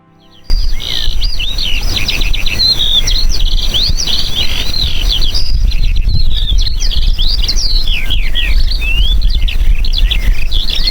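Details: Eurasian Skylark singing while hovering high in the sky: an unbroken, rapid stream of high chirping and warbling notes without pauses, starting abruptly after a short quiet moment, over a steady low rumble.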